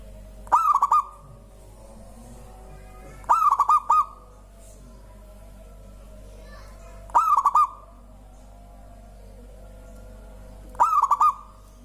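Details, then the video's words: Repeated song of a local zebra dove, credited with prompting other birds to sing: four matching phrases of rapid stuttered coos, each ending in a trailing tone, roughly every three and a half seconds. "Suara indah perkutut lokal bikin burung lain ikutan bunyi gacor"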